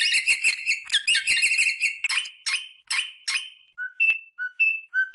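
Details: Rosella parrot calling to stimulate mating: rapid harsh chattering bursts, then clear whistled notes alternating between a higher and a lower pitch, spaced about half a second apart.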